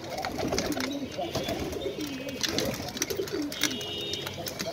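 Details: Pigeons eating food, several birds cooing in low, rolling, wavering phrases that overlap continuously, mixed with pecking taps and faint voices.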